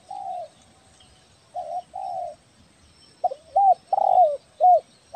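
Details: Spotted dove of the 'belah dada' type from Kepri, prized as a lively caller for luring, giving soft low coos, first drawn-out, then quicker clipped notes with slightly rising and falling inflections, about two per second.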